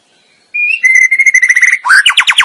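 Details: White-rumped shama from a masteran training recording: after a brief silence, a steady clear whistle breaks into a pulsing, rapidly repeated note series, then a rising run of quick bright notes.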